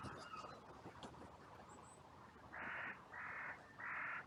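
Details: Cemetery crows on a sunny day, reacting after two crows fought: quiet rustling, then three loud, rasping caws in quick succession, roughly half a second apart.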